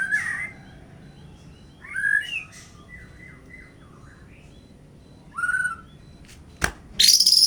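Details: White-rumped shama sunned in strong sunlight to raise its vigour and spirit: sparse clear whistled phrases and slurred sweeps, some warbled notes, separated by quiet gaps, with a sharp click and a burst of noise near the end.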